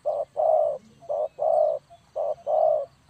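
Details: Spotted dove giving a clean call meant for luring birds into a trap. Three evenly spaced pairs of hollow, low coos, short then long, over a quiet low background hum.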